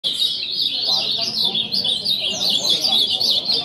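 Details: Group of caged ultramarine grosbeaks singing together: dense, overlapping high warbled phrases forming a continuous, frenetic chorus.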